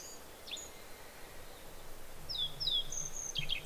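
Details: Japanese yellow bunting singing a quick run of thin, high, slurred notes in the last second and a half, with a black-faced bunting overlapping, over steady low background noise.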